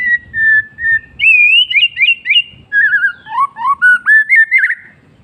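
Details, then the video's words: White-rumped shama in full afternoon song, loud and close: a long steady whistle, then slurred rising phrases and a wavering, bubbling sequence of clear fluty notes that step up and down without pause. "MURAI BATU bird singing in the afternoon"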